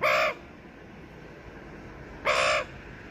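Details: Australian magpie family visiting a balcony on a Sunday morning: two short, harsh, harmonic-rich notes about two seconds apart, with a quiet room background.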